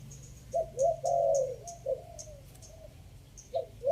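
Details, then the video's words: Spotted dove giving a three-note 'kuk' lure coo, fifth phrase: low, soft hooted notes in a quick run, a brief gap, then the phrase restarting, with faint, regular high ticking in the background. "เสียงต่อนกเขาใหญ่ 3กุ๊ก ท่อน5"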